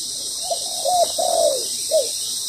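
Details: Spotted doves at a ground-decoy trap, the wild bird loud-voiced, the decoy molting; a short hooting phrase of soft coos, two longer drawn notes in the middle and a brief final coo, over a constant high hiss.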